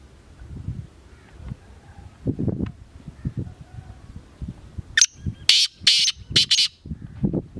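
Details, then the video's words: Black francolin calling, a harsh rising note and then three grating high bursts in a quick rhythm, with scattered low knocks and rustling before and after. "Black francolins"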